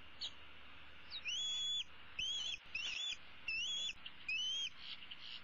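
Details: Perched in the nest tree with a leg dangling, a female bald eaglet begs for supper: a run of high, shrill, upward-sliding squeals in quick succession, some doubled, against faint hum.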